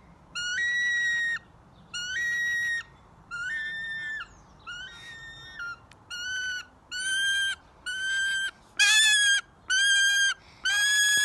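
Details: Hand-reared female Wahlberg's Eagle, very vocal whenever she sees her familiar keeper, gives about ten drawn-out, reedy, level whistles, each roughly a second long and repeated almost every second, over faint hum.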